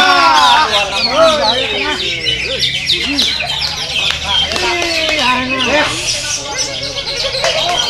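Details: Greater green leafbird singing a dense, varied run of sweeping whistled slurs, falling notes and rapid chattering twitters, phrases tumbling together with hardly a pause, with other busy sounds close behind.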